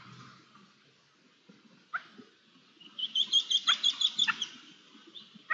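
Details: Ambient recording of twelve red-legged partridges with two young and a rabbit, 24 June 2022: after quiet scratching, a sharp note, then a brisk series of about ten evenly spaced, ringing high calls over low rustling.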